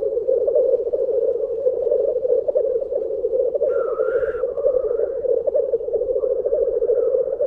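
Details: Black grouse lekking at World's End, North Wales, in March 2017: a steady low bubbling, cooing chorus rolling on without pause, broken once by a brief harsh hissing sneeze.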